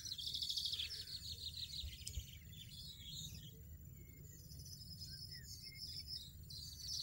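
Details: European goldfinch in the wild, singing a bright, rapid twittering burst at the start, then scattered high chirps over a steady low rumble and background noise.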